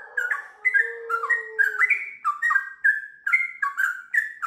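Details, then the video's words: Sooty-headed bulbul in melodious song, ngiwir style into a long ropel: choppy bursts of liquid whistled notes in quick groups, with a low steady tone heard in the first two seconds. "TRUCUKAN GACOR ngiwir lanjut ROPEL PANJANG"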